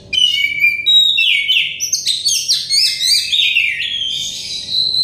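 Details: Oriental magpie-robin singing continuously, played as therapy to encourage stressed birds to sing; clear sliding whistles and quick chirps tumble together in a rich, varied flow.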